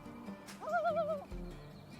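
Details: A Common Loon on the water in Yellowstone's back country gives one brief, wavering mid-pitched call lasting about half a second, quavering up and down, over a low background hum.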